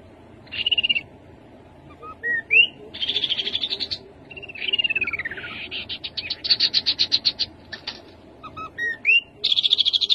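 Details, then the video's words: Varied song of a rufous-capped babbler: short rising whistles, buzzy bursts, a downward-sliding whistled phrase and a fast stuttering trill, alternating across ten seconds with brief gaps, against a quiet low rumble. "Khướu bụi đầu đỏ. tiếng khướu đầu đỏ."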